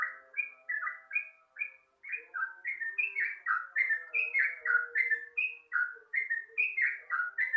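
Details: Sooty-headed bulbul singing at dawn, recorded for use as a lure: a busy stream of short, bubbly whistled notes that slide up and down, several per second, over lower steady tones.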